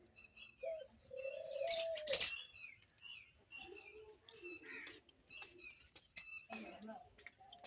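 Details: Rose-ringed parakeet (Psittacula krameri), call.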